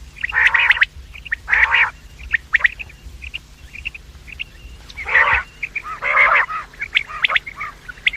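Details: Quail sounds for luring quails, morning and evening: harsh rasping bursts spaced a second or more apart, with soft high chips scattered in between.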